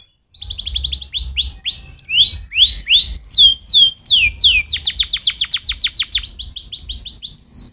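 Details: Canary singing a stimulating song made of rapid repeated rising and falling sweeps, roughly two or three per second, growing louder and deeper-sweeping midway, ending in quick descending slurred notes, no other sounds.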